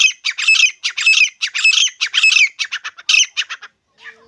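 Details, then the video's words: Grey francolin, known locally as desi titar, giving loud, harsh, high-pitched squawking notes in quick bursts of about two per second, briefly speeding up near the end before stopping, with no other sounds. "desi titar ki awaz"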